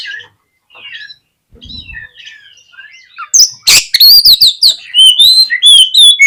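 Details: Oriental magpie-robin (kacer) song used to provoke fighting behaviour in a reluctant bird: soft twittering at first, then loud rapid whistles, harsh notes and slurred rising phrases.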